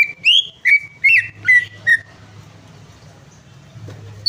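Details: Prompting song of a greater green leafbird meant to get a silent bird singing again: five loud whistled notes with sharp upward flicks, about two per second, then a quiet stretch with a low hum.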